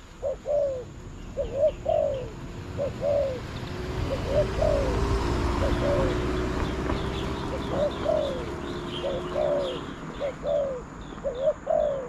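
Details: Spotted dove calling to a trapping decoy: repeated short, low, falling coos in steady phrases over a rumbling background, with a low engine-like drone and a cluster of small high chirps from other birds.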